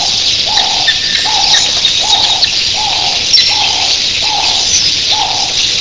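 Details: Red-billed quelea flock of thousands in the early morning: a dense, continuous high chattering roar of countless birds. A dove coos softly and steadily about every 0.7 seconds underneath.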